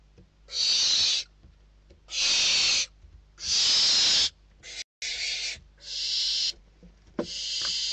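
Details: Barn owl nestlings in Spain squabble over a prey bird brought to the nest. The oldest chick wins. Very loud, rough hissing screeches come in long bursts, with a brief cut and some scraping between them.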